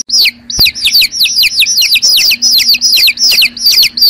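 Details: Several chicken chicks calling with high, piercing peeps that drop quickly in pitch, repeated insistently in quick succession, with a click near the start and a soft low background hum.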